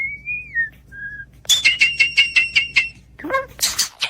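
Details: Starling mimicking human-like sounds: a drawn-out slurred whistle, a short lower whistle, then a fast string of about ten bright, buzzy, high notes, followed by squeaky rising and falling chirps.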